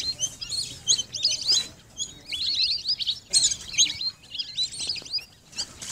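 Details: Lesser whistling duck calling: dense bursts of many overlapping high, thin whistles and chirps. Each burst lasts one to two seconds, with short gaps between them. Faint low background hum.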